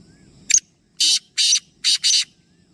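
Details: Black francolin, one of a group of three, with a clipped opening note and then four harsh grating bursts, evenly spaced with the final two nearly joined; faint low background hum.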